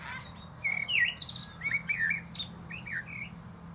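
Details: A common blackbird sings from the top of a plum tree, mixing mellow, looping whistled phrases with sharp, high squeaky flourishes over a faint steady hum.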